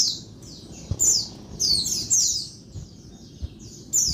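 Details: Daytime calls of a female Oriental white-eye, said to excite males: high, bright descending chirps in short clusters separated by brief pauses, over a quiet background with a few faint knocks.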